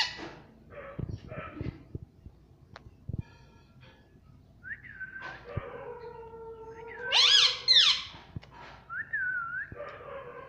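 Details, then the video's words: Pet talking parrot, said to say "mummy" and "mitthu": soft clicks and taps, then a drawn harmonic word-like sound building into a loud arching syllable, and a shorter falling call after it. "Ye mittu mummy bolne wala tota [] Talking Parrot [] mitthu mitthu"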